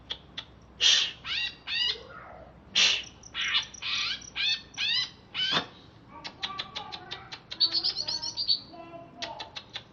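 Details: Caged greater green leafbird, wild-caught in Alas Purwo, Banyuwangi, chattering after being bathed. Strings of strong, rasping, upward-sweeping notes come in regular succession, followed by rapid clicking chips and a thin high trill.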